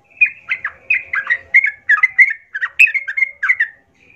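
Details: Sooty-headed bulbul singing energetically, used as a lure to provoke other bulbuls to fight: a rapid run of short liquid, bubbly warbled phrases, each dipping and rising, packed closely for about four seconds, then a faint closing note.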